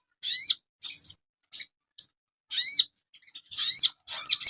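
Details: Crested jay (sogon), a training recording for cage birds: separate bursts of rising whistled slurs with buzzy overtones and short high chips, spaced irregularly over a few seconds, clear and noise-free.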